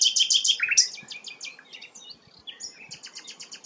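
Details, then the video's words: Sikatan londo flycatcher in full song, kept as a tutor for magpie-robins: opens with loud, rapid high whistled notes, then a descending series of clipped chips and a run of quick, even ticking notes. "burung sikatan londo gacor"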